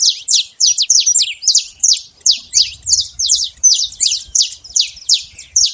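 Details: Wild saffron finch pouring out a steady, rapid series of high, downslurred chirps, roughly three each second, crisp and loud throughout.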